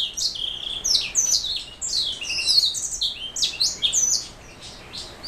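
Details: Black throat mule, a canary-cross songbird, pouring out a fast, high-pitched twittering song of dense slurred whistles and trills that fades toward the end in a quiet background.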